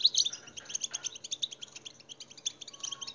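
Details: European goldfinch song used for stimulating captive goldfinches: a continuous, rapid, high tinkling twitter of clipped, liquid notes tumbling without pause, with a faint low hum underneath.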